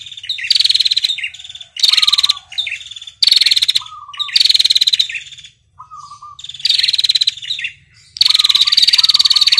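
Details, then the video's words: Red-headed female prinia calling to the male with its long ngetirr trill. Six loud, rattling high-pitched bursts of rapid pulses arrive in quick succession, with short, lower two-note chirps in the gaps. "prenjak betina ngetirr panjang memanggil prenjak jantan"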